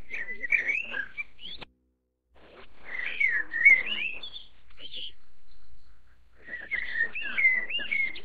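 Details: Chinese blackbird (Turdus mandarinus), filmed while feeding a chick: three bursts of rich, warbling whistled notes, each one to two seconds long and separated by brief pauses. No other sounds stand out.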